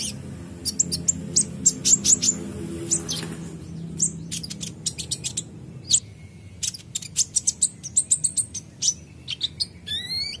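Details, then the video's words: Van Hasselt's sunbird, an untrained bird responding to song: rapid high chirps and thin whistled notes in running series, with a quick rising sweep at the close. "Konin bahan langsung respon bunyi dengar konin gacor ini"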